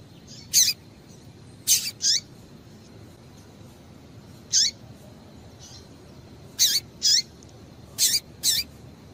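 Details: Calls of a female variable seedeater, played to get male birds singing: sharp high chirps sweeping downward, often doubled, spaced one to two seconds apart with quiet hiss between.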